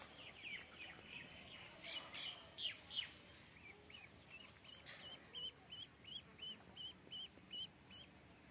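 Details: Faint ducklings at first under background hiss, then a clearer string of evenly spaced bright peeps, roughly three per second, in the second half.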